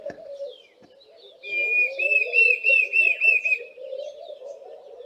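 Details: A Diederik cuckoo gives its loud, high, quavering whistle-like phrase lasting about two seconds, while Laughing Doves coo as a steady low murmur in the background.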